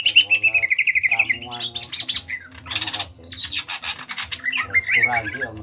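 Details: Greater green leafbird (Chloropsis sonnerati), a small-bodied bird from Kalimantan, in loud, continuous song: a rich run of whistled and squawky phrases, some falling, some buzzy, pouring out almost without pause, over a faint low hum.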